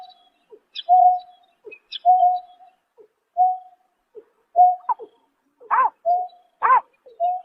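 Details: Greater painted-snipe at night in March 2024. Flat, hollow hoots repeat roughly once a second with faint clicks between them. Louder arched, bright notes join near the end. No other sounds are present.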